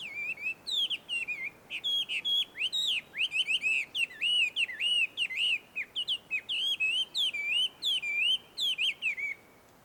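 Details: Chinese hwamei in the wild, heard in a small wood around a Tenmangu shrine in Joso, Ibaraki Prefecture, Japan; a long, loud, melodious run of clear whistled notes, each bending and looping, repeated rapidly with short pauses, background otherwise quiet.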